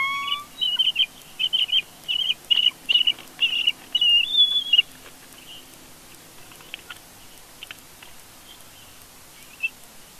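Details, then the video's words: Bald eagles in conflict at their Big Bear nest, heard through a live nest camera: a run of about eight short, high, squeaky piping bursts at even intervals, then quiet with faint background hiss. "Family conflict Big Bear Bald Eagle Live Nest Cam"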